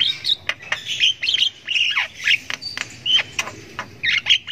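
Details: Javan myna nestling giving long chirping bouts while learning to sound; scratchy, high squawking notes with quick rising and falling inflections, broken by short sharp clicks.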